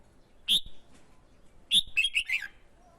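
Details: Red-whiskered bulbul male, prompted by a female to sing competitively and attract wild birds, gives a loud high opening note, then a rapid tumbling phrase of several slurred, descending syllables.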